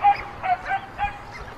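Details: White stork nest on a chimney in Ságvár, Hungary, with surrounding meadows and wetlands, 22 May 2024, as older siblings steal food from the youngest chick; short nasal yelping cries come roughly every half second over faint background noise.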